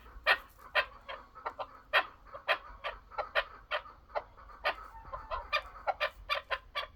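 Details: Chukar partridge giving a rapid series of sharp, clucking notes, loud bursts spaced irregularly about two to three per second, with fainter clucks between them.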